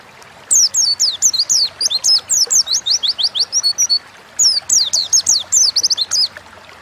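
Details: Energetic ngalas song of an Oriental white-eye, recorded as a lure for songbirds: a fast string of high, downward-slurred chirps and twittering notes, a brief break, then a second shorter outburst.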